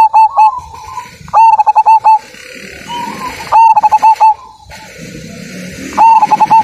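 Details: Zebra dove of the Majapahit strain, praised as a big-voiced singer with a strong 'kung' ending. It gives three loud bouts of five to six short, clipped cooing notes, with softer warbling coos between them.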